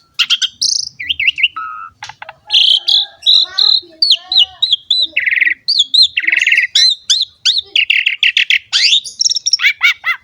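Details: Long continuous Asian pied starling song used to encourage young birds to sing: a rich medley of whistled slurs, harsh rasping bursts, rapid warbled phrases and quick high chips with hardly a pause.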